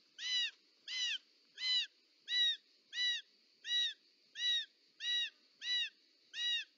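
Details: Short-toed snake eagle at the nest, Parc Natural dels Ports, Catalonia, 18 July 2024, as the mother arrives with a snake; ten evenly spaced arched calls, loud and harmonic, about one every 0.65 seconds, faint low murmur beneath.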